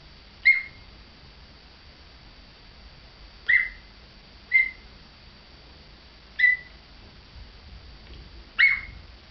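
An African grey parrot gives five short, high, yelping barks, spaced unevenly a second to three seconds apart, in an otherwise quiet room.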